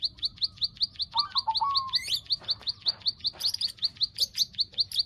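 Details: Rhythmic high clicking of a bar-winged prinia, about two and a half clicks each second, used to bring birds into breeding condition; soft lower sliding whistles and a few buzzy chirps overlap early on.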